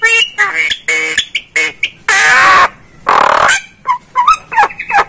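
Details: Loud jalak starling masteran song mixing stacked, nasal harmonic notes with two long, harsh rasping screeches, then bending, looping whistled notes at the end.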